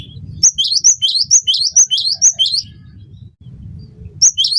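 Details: Cinereous tit (gelatik batu) in energetic song for training other birds to sing: a run of about eight bright two-part phrases, a high note sliding into a lower one, then a quiet stretch of hum and a final phrase.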